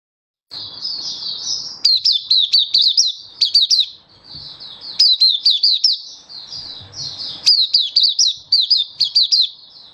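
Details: Oriental white-eye (mata puteh), a hobby-kept songbird recorded 24 February 2023, singing happily in an open display: high, thin twittering phrases of quick down-slurred notes with sharp upward flicks, in bursts broken by short pauses, with faint low rustling.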